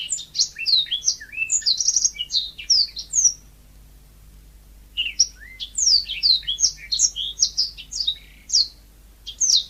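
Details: Yellow-fronted canary in energetic natural song: two bursts of quick, high, chirping and whistled phrases, the first about three seconds long, then a two-second gap, then a longer lively run.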